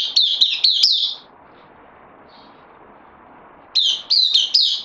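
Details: Bulbul on loan, recorded 12 September 2020: a quick cluster of sharp, bright chirps, then about two and a half seconds of quiet hiss, followed by another brisk burst of chirping notes.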